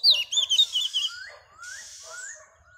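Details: A female Oriental magpie-robin sings to stir males into singing. Rapid, loud, high whistled and warbled notes come first, followed by softer rising slurred whistles and a brief hiss.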